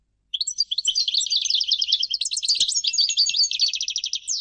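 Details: European goldfinch singing: a fast, continuous twittering run of high, tinkling chirps and trills, ending in a faster rattling series of repeated notes; clean background.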